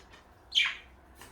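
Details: Pet parakeet, one of a blue and light yellow pair: a single sharp chirp that slides quickly downward in pitch, with quiet on either side.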